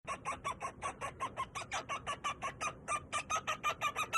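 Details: Pet male cockatiel singing indoors: a fast run of harsh, buzzy chattering notes, about three per second, steady and evenly spaced throughout, growing slightly louder toward the end.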